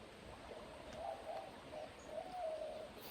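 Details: White-winged dove in a lush green desert valley oasis in summer, surrounded by cacti and sandy desert: a run of low, hooting coos rising and falling over about two seconds, against a steady hiss like running water.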